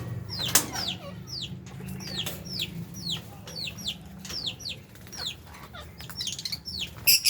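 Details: Lovebirds eating, kept with budgie parrots: shrill downward-sweeping chirps repeat about twice a second, some overlapping, over a steady low hum.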